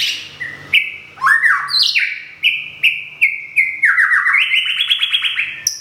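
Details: In Thailand, a Thung Song white-rumped shama regrowing feathers after a moult delivers loud, rich whistles: sliding notes, then steady level phrases, ending in a rapid rising trill, in a quiet setting.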